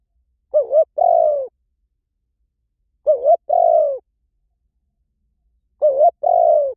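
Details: Three repeated coo phrases from a spotted dove, used to attract wild doves, spaced about two and a half seconds apart, each a wobbling short note joined to a longer descending hoot. Clean recording.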